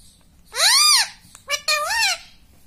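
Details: Indoor pet rose-ringed parakeet imitating mummy and papa: two loud, harsh, arching syllables about a second apart, with a brief clipped note between them, strident and rich in overtones, over quiet room hum.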